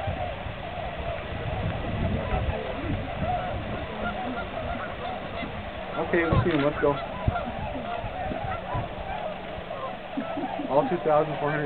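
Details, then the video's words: Tundra swans on their annual migration stopover at the Aylmer Wildlife Management Area, Sunday, March 15th, 2009: a dense, continuous chorus of overlapping honking, hooting calls from a large flock, with louder bursts near six and eleven seconds and faint voices. "Tundra Swans"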